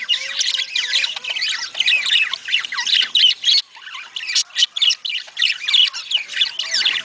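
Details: Budgerigars in a flock make a sound meant to stimulate breeding: dense, continuous warbling chatter with harsh squawks, rapid chirps and clicks that overlap without pause.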